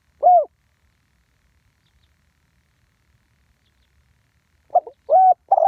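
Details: Live recording of a spotted dove giving the 'ต่อดิน 1 กุก' call style: a single low hollow arched coo, a four-second pause, then a quick cluster of three coos.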